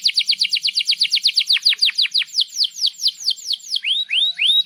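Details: Canary singing as a master song for young canaries: quick series of high downslurred notes that slow and deepen, ending with three rising whistled upsweeps.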